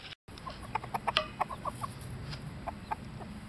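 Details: Blue-laced Rhinelander chicken at a young-animal poultry show and small-animal exhibition in Dietikon, Switzerland, 28 May 2011; short, mid-pitched clucks in an irregular series, a few louder, over steady hall hum.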